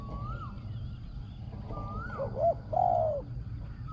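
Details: Spotted dove decoy at a luring site on the ground, voice described as small, ringing and strongly cooing: a faint note, two clipped hoots and one long falling coo, with sliding whistles of another bird.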